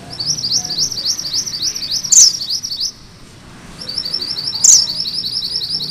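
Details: Sunda bush warbler singing the ngerol rolling song: two runs of quick, high, rising whistled notes separated by a short pause, each run punctuated by a single sharp, piercing note.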